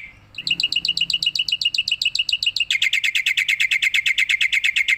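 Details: Tame black-winged myna singing while bobbing its head, pouring out a long run of bright, evenly spaced chip notes that speed up into a faster rattling series.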